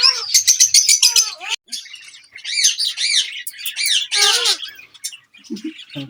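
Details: Group of Indian ringneck parakeets known as talking parrots: fast, shrill chirps and squawks in quick bursts, arched whistled notes repeated several times, with short pauses between volleys.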